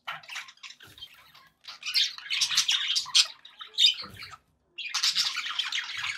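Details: Budgerigars kept as pets, happy chatter: rapid scratchy warbles and chirps with short gaps, bursts of squawky notes, and a brief silence before a dense final run of chattering.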